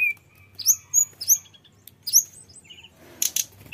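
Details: Tledekan gunung flycatcher, singing a full, varied song used to lure other birds: a thin steady whistle, then separate bright, sharply descending high notes, a short buzzy trill and a brief burst of rustling noise.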